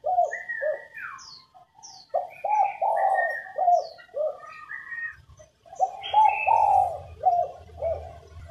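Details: Spotted dove female coo, used to trigger male song: several phrases of soft, low, multi-note cooing with longer accented notes, accompanied by varied whistles and chirps from other birds and a low rumble near the end.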